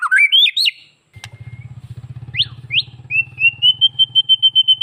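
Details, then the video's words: White-rumped shama song, played to stir males into breeding condition and aggression: rising whistled sweeps and sharp slurred notes, then a steady run of about ten clear whistled notes at an even pitch, over a low continuous engine-like hum. "Suara master kicau murai batu, buat pancing murai jantan dan pastol agar naik BIRAHI dan Emosi."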